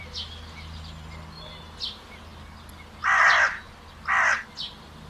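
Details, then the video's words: Crow giving two loud, coarse caws about a second apart, with softer distant caws before and after and a low hum in the background. "CROW SOUND - CROW SOUND EFFECTS"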